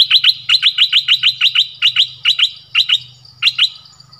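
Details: Streak-eared bulbul repeating bright, paired chirps in a fast, even series, slowing toward the end, with a soft low hum beneath.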